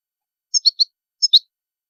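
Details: European goldfinch giving two quick clusters of high, sharp chirps, three notes then two, half a second apart, with silence around them.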